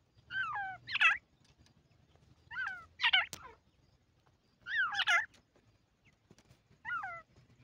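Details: Francolin, locally called teetar; the recording names Dakhani teetar with its chicks and Irani teetar. Loud, harsh calls of stacked descending notes come in paired bursts about every two seconds over an otherwise quiet background.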